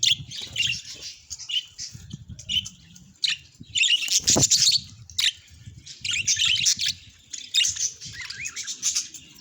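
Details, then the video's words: Cheerful pet budgerigar chattering in bursts of high, scratchy, twittering notes separated by short gaps, over a faint low rumble with one sharp tap midway. "Happy Budgie Vibes Chirpy Sounds"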